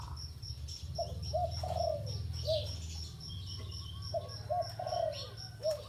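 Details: Low, mellow coos of a spotted dove at a ground decoy: two phrases of short hooting notes ending in a drawn-out downward slur, with a rhythmic high insect chirping and a deep background hum throughout.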